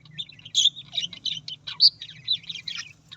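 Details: Australian parrot giving a lively string of clear whistled chirps, short buzzes and clicks, with one bright whistle standing out, over a faint low hum.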